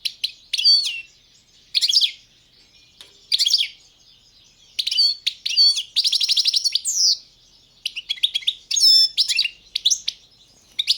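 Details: European goldfinch, Balkan subspecies balcanica, singing bright tinkling phrases spaced roughly a second apart, with a fast rattling trill in the middle followed by more squeaky twittered notes.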